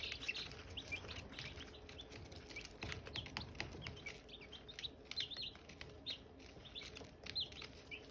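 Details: Silkie chicks near hatching eggs give occasional high peeps among many sharp clicks and scratching taps, with the calling sparse and fairly quiet.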